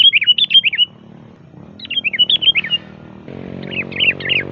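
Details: Loud, varied song of a sooty-headed bulbul, as used to lure and train bulbuls: three bursts of quick, bubbly, chirping notes separated by short pauses, with a faint low droning hum underneath.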